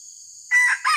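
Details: Red junglefowl, heard while wild junglefowl are lured for trapping, starts a sudden loud crow: a sharp, rasping burst, a short pause, then a second rough note, over a shrill steady insect chorus.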